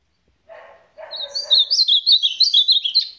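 An Ultramarine grosbeak sings a rich, rapid warble of high sliding whistled notes for about two seconds, just after a brief low, harsh rasping sound.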